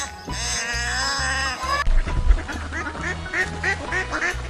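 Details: Muscovy duck heard in the second half as a string of short, harsh quacks repeated several times a second, following an unrelated wavering animal call, all over steady background music.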